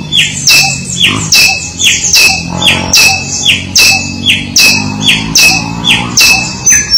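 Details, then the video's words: Samyong song used as tutor material for training songbirds: a steady string of sharp, high chirping notes, about one every second, with a low hum underneath. "Suara burung Samyong"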